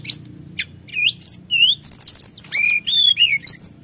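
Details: Sunda whistling thrush singing continuously, used to provoke other birds: a rapid jumble of high whistled slurs, short rising and falling notes, and sharp chips, with a faint low hum underneath.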